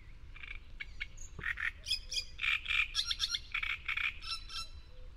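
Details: Great reed warbler, Córdoba, delivering a grating, jerky song of repeated rasping syllables and croaky chirps in quick succession, with a faint low hum underneath.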